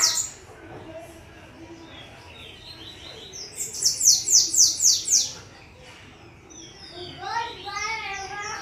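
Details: Several bananaquits singing: a fast series of about eight sharp, high, hissing notes, followed by a lower warbling twitter from another bird.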